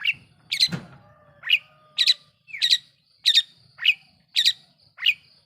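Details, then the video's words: Provoking lure song of a long-tailed shrike: sharp, scratchy notes repeated roughly every half second, alternating higher and lower calls, with a faint thin whistle and a brief low thud early on. "Awas...!! bikin ngamuk burung MERTUA...! || Pancingan Cendet Gacor"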